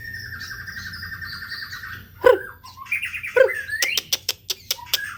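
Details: White-rumped shama home lure song: a long buzzy, wavering whistle held steady, followed by sharp notes and a fast series of dry clicks.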